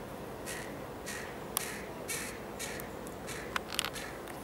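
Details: A juvenile carrion crow with white feathers, in Amsterdam on 29 July 2013, gives a string of harsh, hoarse caws, about two each second, with a few sharp clicks over a faint background hiss.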